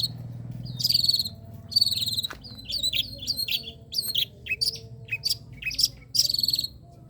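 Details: Long-tailed shrike song used as a lure or tutor recording for caged songbirds: bursts of harsh, scratchy high chattering phrases, each under a second, separated by short pauses, with a low hum beneath.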